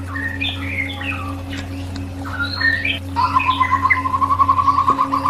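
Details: White-rumped shama song used as therapy: scattered whistles and chirps, then a fast, even trill of about twenty notes on one pitch lasting two seconds. A constant low hum runs underneath.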